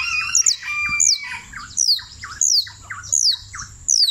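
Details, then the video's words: Champion canario criollo from Turbo, Antioquia, mixing high downward-slurred whistles with lower curved notes in an uneven pattern, about four phrases across four seconds. "(El CAMPEÓN) canario criollo la lucila"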